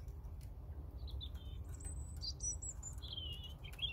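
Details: European robin song of short, high, clear whistles and trills in separate little phrases, some very high and thin, others lower and sliding, over low background hum.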